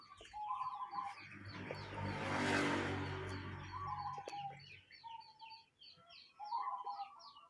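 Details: Local wild zebra dove giving an unusual call. Brief, buzzy, trilled cooing phrases come at intervals. A car swells past midway, and high chirps from other small birds run throughout.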